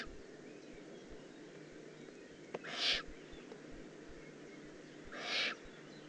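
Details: Young Eurasian eagle-owl recorded 18 June 2016 in Germany's Eifel region, giving two harsh, noisy hisses about two and a half seconds apart, with a single click before the first and low background noise.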